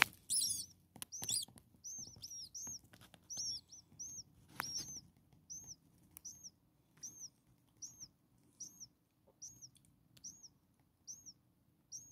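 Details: Hungry starling chicks, six in one nest and only days old: loud rustling and chirp bursts at first, then a steady series of single high, arched squeaks repeated roughly every half second to one second.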